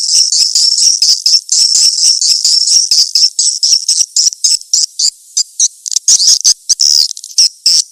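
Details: Edible-nest swiftlet call meant to attract swiftlets: dense, buzzy, high chirring bursts repeated rapidly in a near-continuous stream, with brief gaps between groups.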